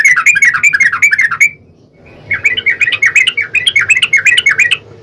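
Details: Yellow-vented bulbul singing a long, rapid 'ropel panjang' style song used as a lure to make another bulbul answer: fast bubbly warbled chattering phrases, a brief pause after about a second and a half, then the lively burst resumes.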